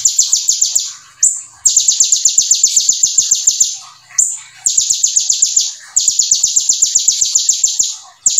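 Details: Konin, or brown-throated sunbird, singing hard with ciblek material in its repertoire: long, tightly packed runs of piercing high notes, each run lasting about two seconds, separated by brief pauses and thin squeaks.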